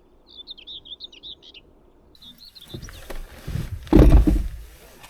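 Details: A common whitethroat in summer beside a road near quail fields gives two quick, scratchy warbling phrases. A loud rumble, like a passing vehicle, then drowns out the rest.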